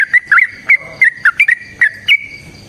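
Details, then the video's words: Yellow-vented bulbul in lively fighting song: short bubbly whistled notes, each bending up or down, given in quick irregular bursts about every quarter second to half second over a faint background hum. "TRUCUKAN GACOR TARUNG ROPEL PANJANG"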